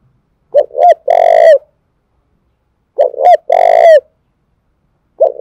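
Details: Spotted dove from Dong Nai, Vietnam, giving the cu thúc gù coo used to provoke and train decoy birds: loud low cooing phrases, two short notes then a long rolling coo, repeated about every two and a half seconds.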